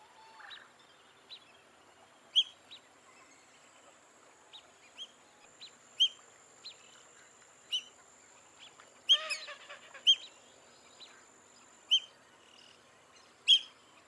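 Black-bellied Whistling Ducks give sharp, high whistled notes, singly or in quick clusters, every second or so, over a steady thin insect-like hum.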